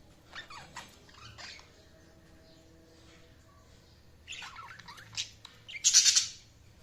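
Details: Budgerigars chirping in short scattered bursts of squawky, high warbling notes, a quiet gap in the middle, then a louder cluster of sharp chirps near the end.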